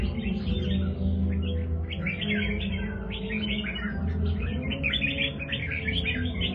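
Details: Red-whiskered bulbul of the 'Do Thái' line in a cage, singing an unbroken flow of fast, twittering, slightly scratchy notes, backed by low music.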